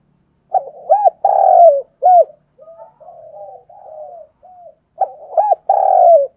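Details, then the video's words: Decoy spotted dove singing to train and stimulate young birds to start cooing. It gives a low cooing phrase of quick stuttered notes and a long drawn coo, then soft, low, muttered notes, then the phrase is repeated. "Tiếng chim cu gáy kích bổi nhanh nổi hiệu quả, cu gáy mồi luyện bổi nhanh gáy và hay nhất"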